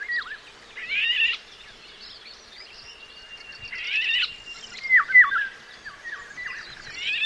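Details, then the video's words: Eurasian golden oriole song: rich, fluty whistled phrases that rise and fall, given in short bursts with some harsher chattering notes between them. "Esa es la voz de las oropéndolas."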